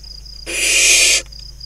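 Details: Barn owl nestlings, five surviving from a wild pair's brood of eight, playing in a nest box among crop fields at Kibbutz Snir, Hula Valley, northern Israel, 28 June 2020; one harsh, breathy hiss under a second long over a steady high insect whine.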